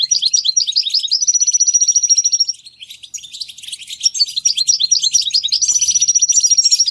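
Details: Lively goldfinch song from its natural setting: a rapid run of sharp, high notes rolls into a sustained thin trill, then bursts of jumbled twittering and another long, even trill.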